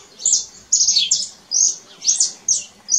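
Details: Canary singing in nature, giving loud, high, rapid trilled phrases with quick downward sweeps, separated by brief pauses, in a quiet background.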